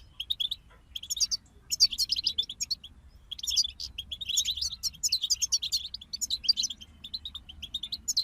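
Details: Singing group of European goldfinches used as songbird motivation: steady high twittering with dense bursts of liquid trills and chirps rising and falling in loudness throughout.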